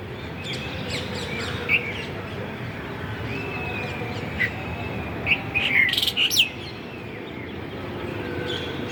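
A bulbul gives a few short, bright chirping notes, loosely spaced with a quick cluster near the end, over a steady low rumble of wind or background noise.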